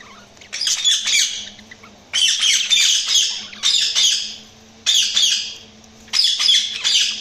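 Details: Budgies chirping in repeated bursts of rapid scratchy chatter with brief gaps between them, and a faint steady hum underneath.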